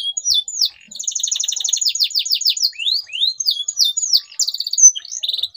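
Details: Lively canary song aimed at getting silent canaries to sing: a short opening whistle, then long rolling trills of stacked high notes flowing into quick descending slurs.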